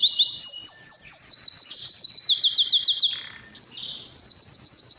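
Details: Caged canary singing to attract females for mating, a training song: long high trills of rapidly repeated rising notes, a brief lull near the middle, then another bright rolling tour of repeated notes.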